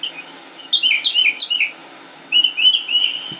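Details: Northern mockingbird recorded May 2016 in Concord, North Carolina, singing sweeping high whistles that swoop up and down in a short cluster, a pause, then a smoother rising-falling phrase.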